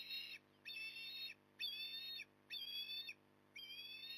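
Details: Repeated shrill whistles from an osprey at a nest in Port Lincoln, 9 October 2020, morning: five loud, even calls about one per second, each slightly rising then holding, with a low steady hum beneath.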